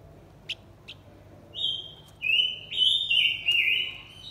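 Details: Male and female blue-winged minla singing a lure song meant to provoke wild birds: two short chips, then long sustained whistled notes that step down and level off, held almost continuously for about three seconds.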